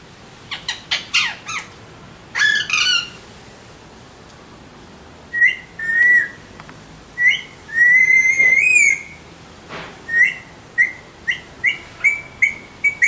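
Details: Alexandrine parakeet: bursts of harsh squawks at the start, then a string of short whistled notes, a long loud warbling whistle, and a fast series of brief chirped whistles at the end.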